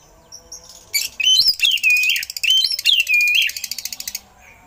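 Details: Oriental magpie-robin singing eagle-like imitations, used to tutor other birds: swooping whistles that rise and fall over a dense buzzing rattle, ending in a quick stuttering trill.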